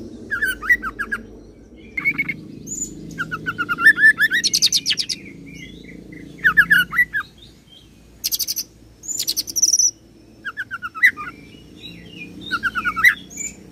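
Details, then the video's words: Oriental magpie-robin (kacer) singing roll phrases mimicking cililin and serindit, varied slurred whistles mixed with very high sharp chirps and trills, sung in repeated bursts across the clip over soft background hum. "KACER ROLL CILILIN SAMBUNG SERINDIT"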